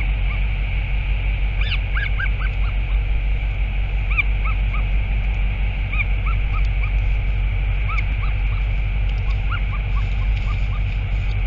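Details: Northern royal albatross (Diomedea sanfordi) recorded 4 August 2023, giving short, arched, nasal notes in loose series, roughly one a second, over steady heavy wind rumble.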